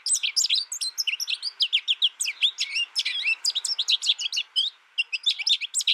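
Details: American goldfinch raised in isolation through its first year, listening to a tutor recording, pours out a fast high twitter of chirps and short slurs, with one brief gap near the end.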